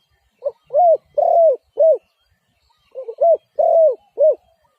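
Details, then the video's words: Spotted dove giving two matching phrases, each a soft short note followed by three hollow, slightly down-curving coos, the second phrase starting about two seconds after the first, with no other clear sounds. "Sound Of Spotted Dove is so good"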